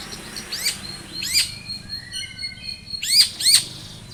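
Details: Long-tailed shrike song played as a lure to make a shrike respond, with pairs of loud downslurred harsh notes separated by soft thin whistles and a faint low hum behind.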